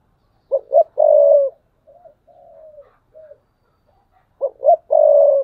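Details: Decoy spotted dove giving thúc bổi coos, recorded 2022. A low phrase of two quick notes and a drawn-out rolling coo repeats twice, separated by quiet, softer wavering coo notes.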